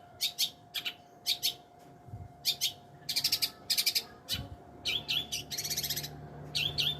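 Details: Long-tailed shrike song of separated high scratchy notes, rapid buzzy trills and short whistled slurs in bursts, with a steady electrical hum and faint low thumps behind.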